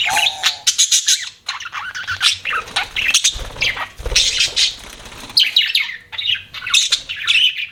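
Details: Budgies chattering in busy, uneven bursts of high chirps and harsher squawks, with wing flaps and soft thuds in between.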